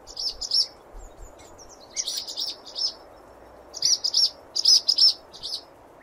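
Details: Swallow song captured with 8D audio: bursts of high, scratchy twittering chatter in short clustered phrases roughly every second, over a steady hissing background noise.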